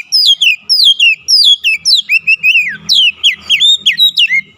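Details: Kacer, the oriental magpie-robin, singing insistently through its isian material: a continuous string of ringing whistled notes, each dropping in pitch, delivered at a quick, uneven pace with a faint low hum behind.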